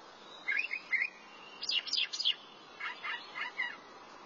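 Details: Thrasher singing in short distinct phrases: paired slurred notes, a cluster of high sharp chips, then four evenly spaced lower chirps.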